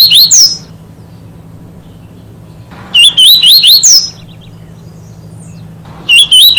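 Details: Double-collared seedeater, an adult, sings as it feeds in grassland: three short warbled phrases of wavy, rising-and-falling whistles mixed with thin buzzy notes, a few seconds apart, with a faint low background hum.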